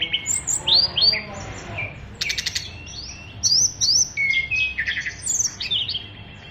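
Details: Brown-chested jungle flycatcher, Bali type, a fighter bird whose song is full of mimicry. It strings together rising whistled slurs, a brief harsh buzzing burst, and scattered high sweet notes with short pauses between.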